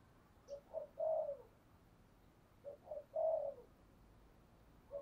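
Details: Spotted dove cooing as a decoy to stir up wild doves: two short soft notes then a long, falling 'croo', the phrase given twice about two seconds apart over a steady background hiss.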